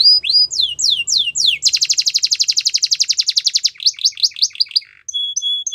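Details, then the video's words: Canary song used for training young canaries to sing: a series of rising whistled sweeps, then a fast, rapid trill, then more sweeping notes and a short high whistled phrase. "Canary Training Singing"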